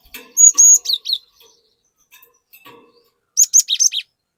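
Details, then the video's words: Cinereous tit (glatik batu) in song to prompt untrained birds to sing; a string of high sustained whistles dropping to slurred notes, a quiet gap, then a fast run of bright whistles. "Burung Glatik Gacor Memancing Glatik Bahan Agar Ikutan Gacor Ngeplong"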